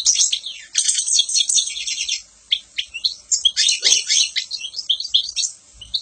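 A European goldfinch sings a fast, tinkling stream of high twitters, trills and liquid chirps, broken by brief pauses, with no other sounds heard.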